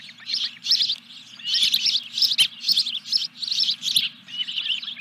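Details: Osprey chirps at the Dunrovin Ranch nest as the third fish of 14 July 2021 arrives: fast series of high, piercing notes in tight groups, steady low hum behind.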